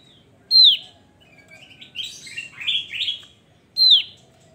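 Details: Javan grey-throated white-eye in lively song: a loud, bright whistle sweeping down from high pitch, then a run of varied chirpy, warbling notes, ending with another falling whistle.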